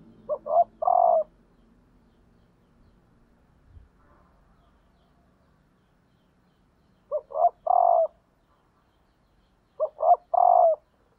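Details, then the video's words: Female spotted dove kept as a decoy bird, calling to stimulate males: three-part cooing phrases, two short rising notes then a longer steady coo, given near the start and twice after a long pause, with a faint low hum. "cu mái gáy kích trống hiệu quả"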